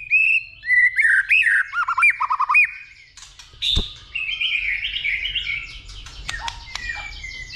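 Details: White-rumped shama giving a fighting song, stimulated by a female, in the dìu bổi style with continuous clicks: loud whistled phrases sliding and warbling, then a sharp crack and a rich, varied jumble of higher notes.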